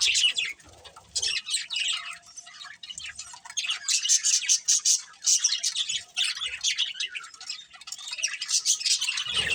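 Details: Budgerigar breeding pair chattering in irregular bursts of harsh squawky chirps and bright warbled notes, separated by short quiet gaps.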